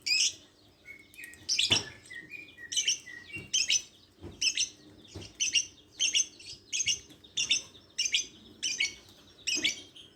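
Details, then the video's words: Lovebird chattering in a long run of shrill, grating chirps at a steady quick pace, mixed with short whistled notes early on and a few soft knocks. "Suara burung Lovebird"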